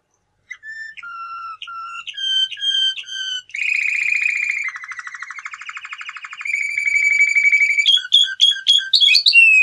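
A male canary sings a fast, varied song: bright whistled notes repeated in quick rolls, a buzzy rattling trill, then sharp chips, with no other sounds.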